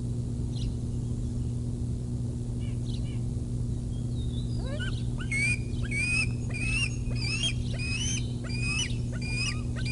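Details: Bald eagles at the Decorah North site in the early morning of 07 06 2021: from about four seconds, a run of high, thin, piping whistled notes, many sharply upslurred and repeated rapidly, over a steady low hum.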